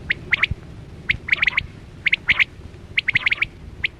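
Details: Quail (chora batera) hunting lure call for the 2024-25 season: loud, sharp staccato notes delivered in tight clusters of three to five, each cluster about a second apart, with faint low noise underneath.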